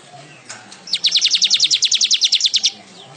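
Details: Weaver producing a rapid, rhythmic chain of about twenty sharp, high ticking notes lasting nearly two seconds, loud and clear over a quiet background.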